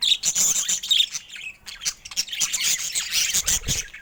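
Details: Budgerigar chatter: dense scratchy warbling with rapid chirps and clicks, bursts of high twittering broken by short pauses, continuing almost without stop.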